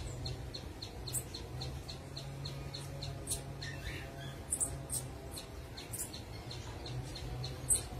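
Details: Orange-headed Tanager singing in the wild: thin, high notes repeated quickly and evenly, with brighter sharp chips mixed in, over a steady low hum.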